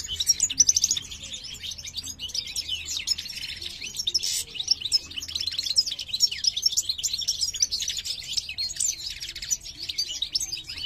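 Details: Singing male parva goldfinch kept for breeding in 2023, female curious about the new nest; loud, lively torrent of metallic chirps, buzzy trills and sharp high tweets, sustained for the whole stretch.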